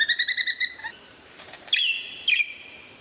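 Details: Varied lyrebird song: a fast series of pulsed, harmonic whistled notes, a pause, then two loud, clear whistles that dip and fall before levelling into steady tones.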